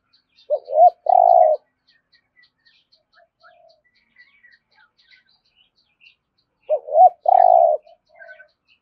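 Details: Spotted dove giving its thúc gù call in the deep thổ rền voice: two phrases about six seconds apart, each two quick low arched coos then a long buzzy rolling note. Faint high ticking in between.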